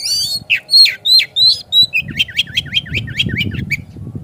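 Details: Loud Oriental magpie-robin, known as kacer, singing as bait to push another kacer into vigorous song with tail spread: strong descending whistles every third of a second, then a fast regular string of short slurred chirps over low rumble.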